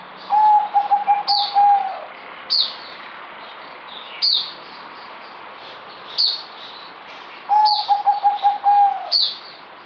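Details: Caged zebra dove (merbok), recorded 8 May 2020, delivering two bouts of rapid, evenly pulsed cooing notes that end in a drawn-out coo, separated by several seconds, with sharp high chirps of other birds and steady background hiss.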